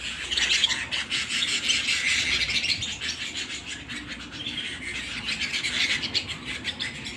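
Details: Canary singing at home indoors: continuous high, rapid trilled chirping in long rolling phrases, dipping briefly near the middle before resuming as a fast, buzzy warble.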